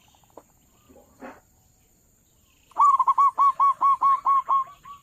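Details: Local zebra dove lure call for bird trappers: a few faint scattered notes, then a rapid, even series of about nine loud hooked, ringing coos.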